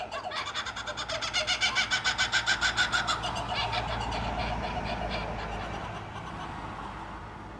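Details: Nighttime calling from two kookaburras on a Sawtell street: a quick run of loud, rhythmic cackling notes in the first three seconds, then a fading, fuzzier chatter over a low background rumble.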